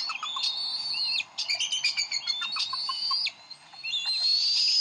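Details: At their Decorah nest on 30 May 2012, adult Bald Eagles bicker over a fish. Strained, high whistled notes and stuttering chatter, with two short silent gaps before a final rising whistle.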